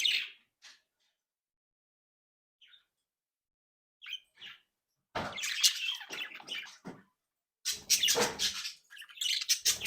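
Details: Budgerigars from a captive breeding flock, active and playful: a few isolated chirps over several quiet seconds, then loud scratchy chattering bursts and squawks toward the end.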